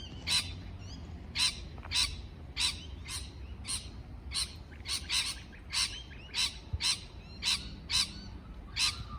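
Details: Parrot chirping: a long run of about fourteen harsh, broadband chirps, each short and rasping, repeating roughly every half second to second over a low background hum.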